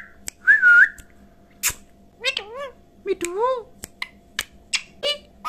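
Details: Talking pet parrot repeating "Mitthu Mitthu": a clear rising-falling whistle, then wavering, harmonic, speech-like syllables in short bursts with sharp clicks between, over a faint steady hum.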